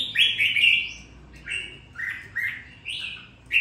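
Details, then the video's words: Caged red-whiskered bulbul, a bird bought on a gamble and raised for two weeks, now singing with some fire: loud, rich whistled phrases, short slurred notes rising and falling in bursts every half second or so. "sau 2 tuần nuôi dưỡng em nó đã ra giọng có chút lửa"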